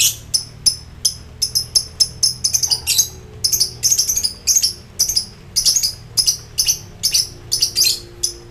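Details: Ngekek song of a highly excited lovebird calling out to rivals: a long, steady, rhythmic run of sharp, shrill, buzzy chirps, several per second, sometimes clustered into quick doublets.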